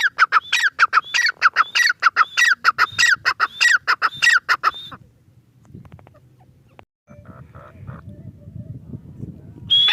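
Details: Harsh, rhythmic calling from a grey francolin: about five seconds of fast repeated squawky phrases with high whistled overtones, then near silence with faint low background noise and a final note at the end.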